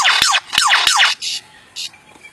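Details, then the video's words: A lyrebird mimicking sound effects such as lasers and R2-D2: three quick, loud, bright descending sweeps with sharp clicks, about three a second, then two short hissing bursts. "The Incredible Lyre Bird does Sound Effects"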